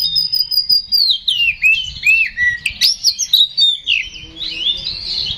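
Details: Aggressive fighting song of an Oriental magpie-robin, meant to provoke a rival: a long high whistle slides down into varied, rapid rising and falling whistled phrases with some harsh notes, softening into quieter twittering at the end.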